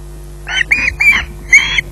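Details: Four drawn-out, strained squawks within two seconds from an osprey at RSPB Loch Garten as it waits for food, over a soft persistent hum.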